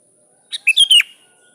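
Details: Sooty-headed bulbul calling to a rival, giving a brisk four-note whistled phrase: a faint lead-in note, then three loud liquid slurs that dip downward at the end, heard in a quiet setting.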